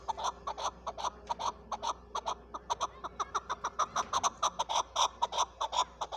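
A chukar partridge gives a long series of harsh, clucking chuck notes, several per second and quickening toward the end, with a slight room echo.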